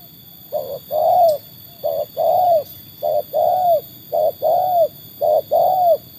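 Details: Trained tekukur proven against wild birds: five paired coos, each a brief note followed by a longer downward-curving one, steadily repeated, with a constant hum behind.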